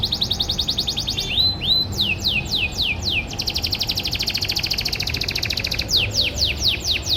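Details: Canary from a private breeding collection in Indonesia, singing a morning masteran (tutor) song: rapid buzzy trills alternating with runs of descending whistled sweeps, fast repeated notes several per second, continuous and loud over faint low background hum.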